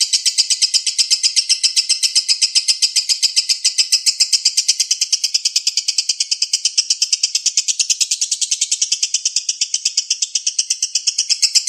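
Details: Long unbroken konslet song of an Indonesian lovebird, used as a lure: twelve seconds of shrill, rattling chatter at roughly four notes a second, even in pitch throughout and heard alone.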